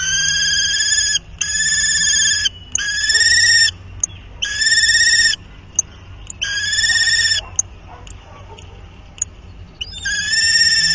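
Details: Common kestrel pair at their nest on 31 March, copulating twice more: loud, vibrating, whining calls about a second long, repeated in bursts with brief pauses and small clicks between them.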